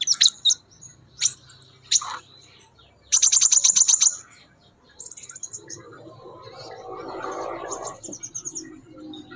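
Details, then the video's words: In the wild, a Scarlet minivet gives thin, high whistled notes and a quick burst of about eight sharp chips, then softer sweet phrases over a faint rustling background; Scarlet minivet. "BURUNG SEPAH RAJA GACOR DI ALAM"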